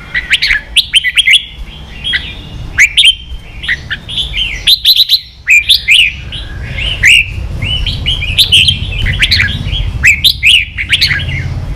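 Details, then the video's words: Competing red-whiskered bulbul in a fired-up song duel, pouring out quick series of lively whistled notes in repeated bursts about a second apart, with faint low background rumble. "Chào mào kích đấu căng lửa chơi cực hay"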